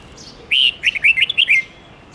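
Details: Red-whiskered bulbul singing a long forest-style song, used to train young birds; a quick phrase of clear whistled, warbling notes rising and falling, with several short slurred syllables over soft background hiss.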